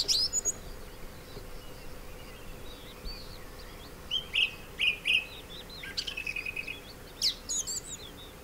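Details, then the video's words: Male song thrush singing among abandoned orange orchards at Sueca in Valencia's Ribera Baixa, Spain. Varied bright phrases: high sharp notes, short twittered figures repeated two or three times, and a fast rattling series, separated by brief pauses. "ZORZAL COMÚN en Sueca | 🎵 CANTOS DE AVES"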